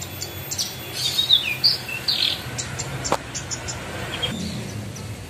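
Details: Several captive Horsfield's bush larks (spotted branjangan) kept together sing in a busy mix of high, sharp chirps, short whistled notes and quick trills that overlap at an uneven pace.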